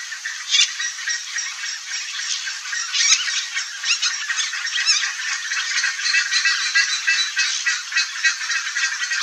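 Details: A nesting pair of Red-bellied macaws (Orthopsittaca manilatus) in the breeding season gives a dense, continuous stream of harsh, grating squawks and chatter, with louder screeches standing out now and then.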